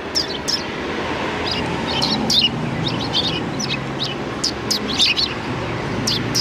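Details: Flock of sparrows before a cultural hall, 7 February 2020, in a welcoming bustle: clusters of quick, high chirps over a louder, rumbling background of outdoor noise.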